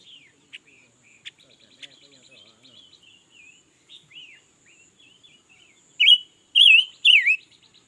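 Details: Red-billed leiothrix, newly acquired and singing all day. Soft, rapid twittering chatter runs for several seconds, then three loud, wavering, fluty phrases follow in quick succession near the end.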